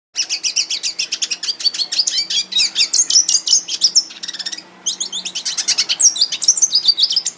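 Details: Red siskin song used for training other birds, from an aviary: fast continuous twittering of sharp high chirps and trills, briefly interrupted by a buzzy squeaky passage before resuming with rapid tinkling notes.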